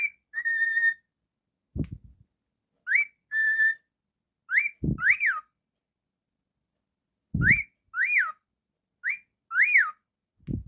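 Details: Pet cockatiel repeating a whistled pattern of sharp up-and-down swoops and level whistles in bursts every second or two, with dull knocking or tapping sounds in between.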